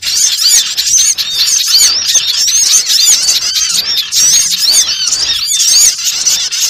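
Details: Dense twittering of many small birds, used to lure birds for trapping, made of overlapping quick, high, curving chirps and squeaks that run on steadily throughout.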